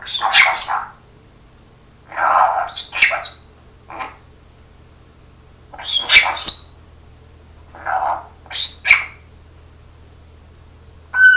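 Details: Pet parrot talking and copying its owner's coughing indoors: a series of short, harsh, breathy bursts with raspy overtones, some clipped and cough-like, arriving in clusters about every one to two seconds with quiet gaps between.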